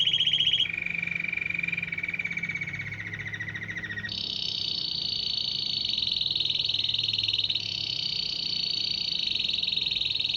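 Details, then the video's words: Canary song said to lure dozens of wild canaries and goldfinches: a brief high trill, a long lower rolling tour, then a jump to a bright, high, buzzy sustained trill that shifts slightly in pitch, with low hum underneath. "شاهد تغريد كناري رائع جذب عشرات طيور ألكناري وألحسون وأنواع بريه مختلفه"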